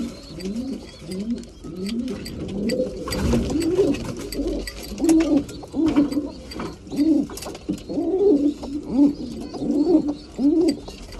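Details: Breeding pigeons at feeding time utter rhythmic rising-then-falling coos, repeated roughly every half second, with a burst of wing noise early on.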